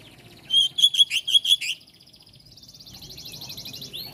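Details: Oriental magpie-robin, a kacer meant to prompt other kacer to answer, singing a quick run of about six loud bright notes, followed by a softer fast buzzy trill.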